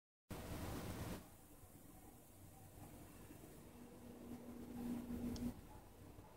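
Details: Steady broadband hiss and low mechanical hum, like a fan or air conditioner, with a louder burst in the first second and a faint low tone near the end; no animal voice.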